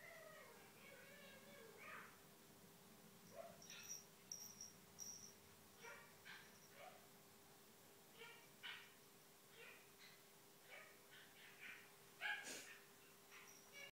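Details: Female Eclectus parrot in long morning chatter to herself after waking; steady string of short clipped syllables, squeaks and thin high whistles, roughly one every second, with one sharp louder note near the end.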